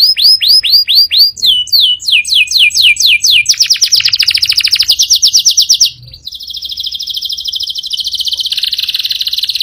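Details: Strong canary song. Repeated sweeping whistled notes speed up into dense trills, then settle into a steady, high, buzzy roll after a short break.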